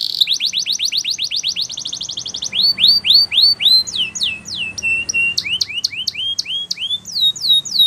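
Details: Training song of a Spanish Timbrado canary: a long, fast series of descending notes accelerating into a trill, then rising whistled upslurs and a varied sequence of sharp downsweeps and hooked notes, loud and clean.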